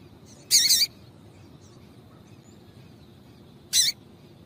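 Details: Female Double-collared Seedeater calling, a call used to stir males into singing: two short, harsh, very high chirps about three seconds apart over a faint steady hiss.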